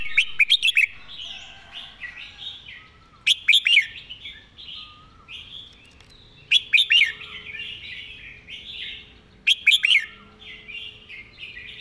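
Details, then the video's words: Quick, repeated master-style song of a red-whiskered bulbul: clusters of sharp, emphatic notes followed by bubbling warbles, the pattern returning roughly every three seconds. "เพลงดี"ปากไว เดินเพลงย้ำๆ เพลงแม่บท"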